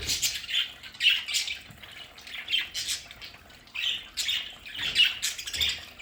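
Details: Several pet budgerigars kept at home in a decorated play area chatter busily: raspy squawks and warbled chirps in clustered bursts separated by brief pauses.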